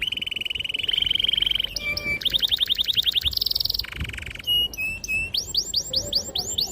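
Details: Singing canary used to coax young birds into learning their song. Steady buzzy trills give way to a fast rattling roll, then a high ringing trill, and finally a string of sweeping, rising whistled notes.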